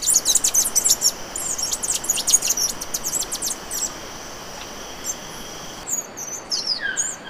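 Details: Bay-headed tanager delivering rapid, high-pitched, thin notes in a lively stream for nearly four seconds. Sparse twittering and a few scattered calls follow in quieter surroundings.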